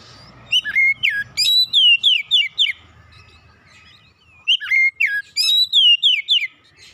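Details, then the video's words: Oriental magpie-robin song recorded to soothe and restore a stressed bird. Two matching bursts of clear, rapidly repeated whistles, each about two seconds long, are separated by a brief lull with faint low rumble. "terapi Kacer dan pemulihan Kacer setres cepat gacor"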